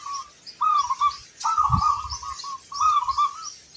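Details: Local zebra dove, an actively singing bird with a big 'kung' voice: bubbly, trilled cooing phrases near one pitch, three phrases with short pauses between them, and soft low thumps in the background.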